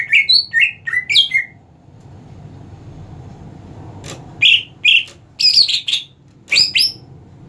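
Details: Greater green leafbird kept for competition gives clipped whistled phrases in two bursts separated by a quiet gap, sharp slurred notes, some rising, some falling.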